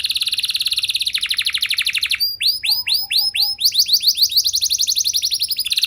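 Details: Canary song meant to spur other canaries into long singing: a fast buzzy trill, then loud separate downward-swept whistles, shifting into another rapid rolling trill.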